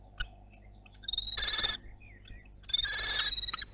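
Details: Common kestrels at the nest during the first feeding of newborn nestlings, Théding, France, 23 May 2022: two loud, buzzy, harmonic whining calls of about half a second each, separated by a pause, with faint ticks between.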